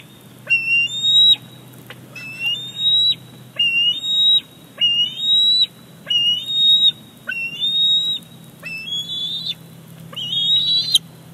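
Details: Bald eagle young male on 28 July 2019 at Big Bear Lake, begging insistently during his mother's fish delivery. About ten shrill, sustained whistles in quick succession, each jumping up at the start, the last ones harsher.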